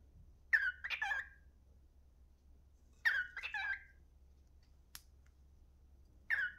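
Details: A cockatiel (Nymphicus hollandicus) whistles the learned human tune "If you're happy and you know it, clap your hands" in short, repeated phrases about every three seconds.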